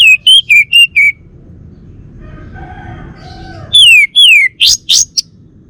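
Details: A male Bali orange-headed thrush kept at home sings four quick wavering whistles, a soft low warble, then two long descending slurred whistles followed by harsh, scratchy notes.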